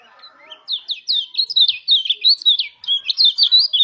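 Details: Mountain white-eye singing a rolling wild-style 'ngalas' song, used as a lure to stir other white-eyes into song. Rapid, high, twittering phrases of quick up-and-down notes, about three per second, after a faint soft murmur at the start.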